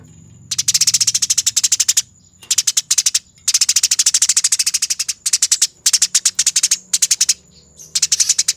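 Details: Eurasian tree sparrow in a fighting bout, a training master recording: long bursts of fast, dry, rattling chatter, each burst a dense string of harsh ticks, separated by short silences, over a steady thin high whine.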